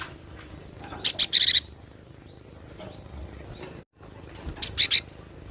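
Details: Wild cinereous tit repeating a rapid phrase of several sharp, piercing high notes, heard twice about three seconds apart, while faint short whistles from other birds fill the gap; recorded for training cage birds.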